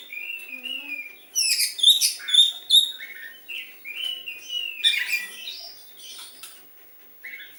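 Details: Captive white-rumped shama copying the sooty-headed bulbul: clear falling whistles at the start, followed by a fast series of loud sharp chirps, then varied slurred phrases and softer notes.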